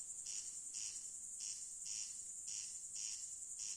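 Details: At night, a corn crake rasps in pairs, a dry double 'crex-crex' about every second, over a steady high hiss of crickets.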